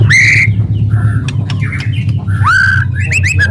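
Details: Aggressive white-rumped shama song, kretekan and tembakan style meant to provoke other shamas. Loud whistled notes, some rising and some sliding down, separated by sharp clicks, over a strong low hum.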